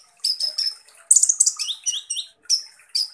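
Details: Kolibri ninja, or Van Hasselt's sunbird, gives a 'tembakan kasar' song of very high sharp chips, a dense buzzy burst, and a run of quick down-slurred notes, delivered in rapid clusters.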